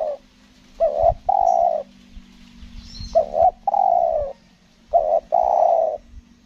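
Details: Spotted dove kept as a decoy for luring wild doves on Lombok, Indonesia, singing in the 'selang nguku gagap' style. Three low cooing phrases, each a brief stuttered double note followed by a long throaty coo, spaced about two seconds apart.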